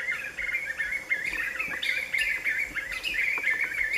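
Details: Several Black-fronted nunbirds sing together as a group in late afternoon, perched side by side: a noisy tangle of rapid, rolling, overlapping phrases that runs without pause throughout.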